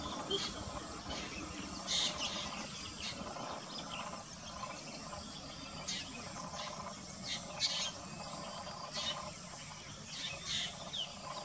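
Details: Black drongo perched in roadside vegetation or open forest in a subtropical area, giving harsh, scratchy chattering bursts every second or two with brief metallic notes, over a steady hum of insects and ambient noise.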